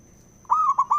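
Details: A male zebra dove coos to provoke rival doves into song. A soft lead-in note comes first, then a smooth sustained coo and two quick mellow notes, with a steady high-pitched electronic tone throughout.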